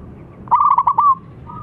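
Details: Big-voiced local zebra dove for luring: a quick string of about six clipped, bright coo notes ending in a held trill, then a soft faint trill.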